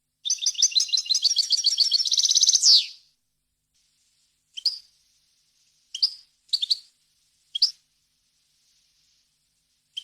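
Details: European goldfinch song for tutoring young birds: one long accelerating twittering trill ending in a buzzy downslur, then several isolated sharp call notes spaced over the remaining seconds.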